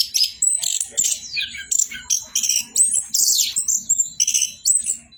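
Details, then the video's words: Orange-headed thrush singing nonstop: a dense run of varied whistles, sharp chirps and downward-sliding notes, high and bright, in quick bursts with brief gaps throughout. "BURUNG ANIS KEMBANG BOCOORRR"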